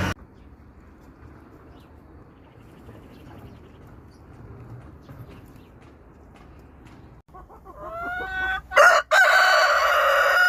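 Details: A rooster crows. The background is quiet for most of the clip, then near the end comes a loud, harsh crow that rises and holds.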